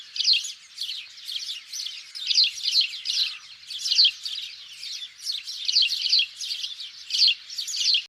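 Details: Egyptian house sparrow calls used as a hunting lure: dense, harsh chirps in rapid bursts, several per second, repeating steadily throughout with no pause and no other sounds.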